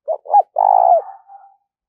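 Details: A trained decoy spotted dove in bổi practice gives two quick low notes, then a long purring coo that tapers into a faint lingering tail.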